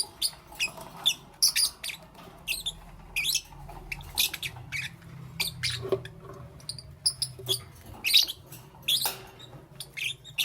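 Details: Lovebird chirping in the morning, a steady run of sharp, high, clipped chirps and squeaks at an irregular quick pace, over a faint low hum.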